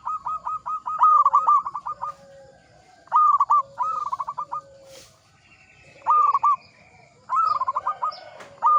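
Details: Local zebra dove, an experienced and frequent singer, giving short bursts of quick clipped cooing notes separated by pauses, with faint lower dove coos and a brief rustle in between.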